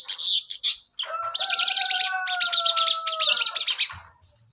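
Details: Long-tailed shrike (cendet) in continuous 'ngacor' singing: rapid, dense chattering and scratchy notes high in pitch, broken by a short pause after the first second, with two steady drawn-out lower tones running beneath the middle passage.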